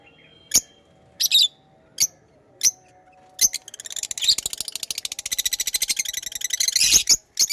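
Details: Pet lovebirds giving spaced single sharp high chirps, then breaking into a long fast rattling chatter of rapid repeated notes, ending with more clipped chirps.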